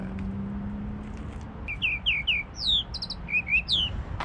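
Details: Tropical mockingbird (sabiá-da-praia) singing by the shore at low tide in Vitória, Espírito Santo, Brazil: a quick run of varied whistled phrases, some descending, some repeated in short bursts, over a low background hum.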